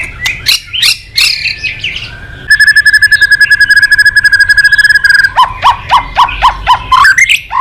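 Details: White-rumped shama, the murai batu prized by songbird hobbyists, delivers sharp chips, then a long steady rattling trill of rapid repeated notes lasting nearly three seconds, followed by quick rising whistled strokes.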